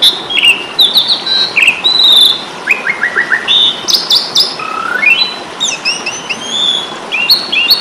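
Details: Asian pied starling fighting song, meant to provoke and train caged birds: a busy stream of whistles, rapid stuttered note series, rising trills and harsh squeaks, nearly continuous, with background hiss.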